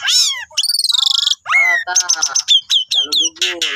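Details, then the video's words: Loud master song from an Asian pied starling, used for training cage birds: a downward squawk, a rapid rattling buzz, then clipped high chirps and descending whistles with nasal, harsh undertones. "Guru vocal Jalak Suren Gacor 99% Ampuh"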